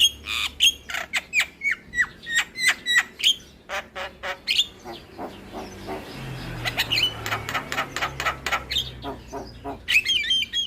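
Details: Javan myna song played to prompt silent or lazy mynas into singing: rapid harsh, clicking notes repeated several times a second, mixed with upslurred whistles and raspy chatter, with a low hum underneath.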